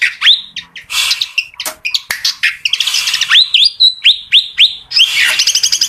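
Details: Fantail song: loud, rapid series of sharp rising whistled notes near the top of the range, each swept upward then held, mixed with buzzy chirps and brief harsh notes, about four notes per second.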